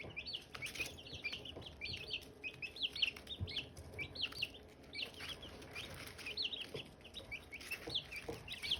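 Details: Silkie chicken chicks and hatching eggs: dense bursts of high, quick cheeping peeps in overlapping groups that rise and fall in bouts throughout, with faint low rumble behind.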